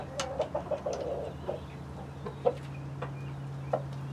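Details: Domestic chickens in a backyard flock of hens (Light Brahma, Barred Plymouth Rock, White Leghorn and others) with a Rhode Island Red rooster, giving soft, short clucks in scattered bursts over a steady low electrical hum.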